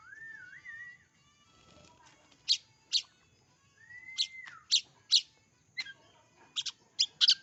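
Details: Oriental magpie-robin singing: a wavering whistled phrase, a pause, and a long slurred whistle, followed by scattered loud, clipped high notes, some doubled.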